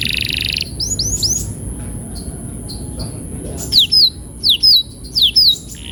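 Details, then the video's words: Canary, used as therapy to help canaries roll: a brief buzzy burst, faint scattered notes, then several loud downslurred high whistles in pairs. "Kenari gacor‼️terapi burung kenari agar cepat ngeroll"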